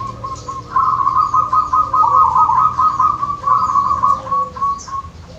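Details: Local wild zebra dove in Wonogiri singing a sustained, rapidly trilled, purring coo that rises in strength and then fades over several seconds. A steady low background hum and faint high chirps from other birds are audible.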